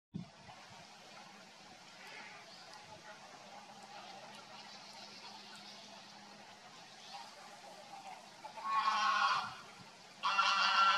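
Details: Greater flamingo at Oostvaardersplassen on 19 August gives two loud, harsh, goose-like honking calls near the end, each about a second long, after a quiet stretch of faint background murmur.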